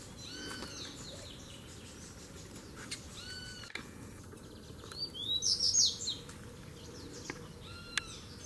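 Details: Three double-collared seedeater males come in to fight; soft downslurred chirps from other birds repeat at the start, then a short, loud, high scratchy twittering phrase, with a low continuous hum.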